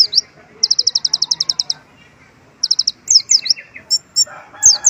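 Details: Sunbird delivering white-eye imitations in its song: a long even trill of a dozen high notes, a pause, a shorter trill, then a jumble of sharp descending whistles and clipped chips.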